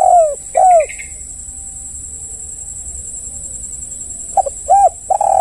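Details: Spotted dove calling as a lure meant to make other doves answer, two short burry descending coos at the start, then a pause and another coo phrase at the end, over a steady high-pitched whine.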